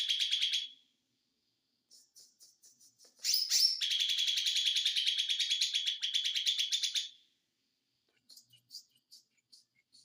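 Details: White-eye (ijo mini) song in the konslet style: a brief high trill, scattered soft ticks, then sharp sweeping notes leading into a long, fast, buzzy trill, followed by quiet chips.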